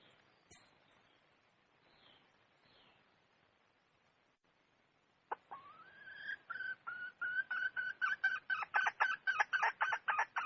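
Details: Wild red junglefowl hen calling: quiet at first, then a drawn-out tonal note that breaks into fast, regular clucks, about four a second, growing louder toward the end.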